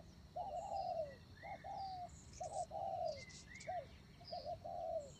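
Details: Spotted dove used as a decoy, repeating throaty coo phrases, a stuttered start then a long sagging note, while another bird adds thin rising whistled notes between phrases.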